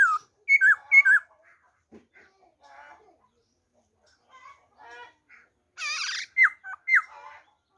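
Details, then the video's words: Black-throated laughingthrush giving its wild-type song on 26 December 2020, with clear bending whistles in quick pairs, faint chatter between, and a broad harsh rasp before two final sharp whistled notes. "khướu bạc má hót giọng rừng"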